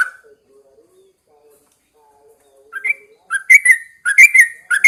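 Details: Yellow-vented Bulbul kept caged and hung out in the morning fresh air. Nearly silent at first, then it bursts into loud, liquid bubbling whistles in quick rhythmic notes.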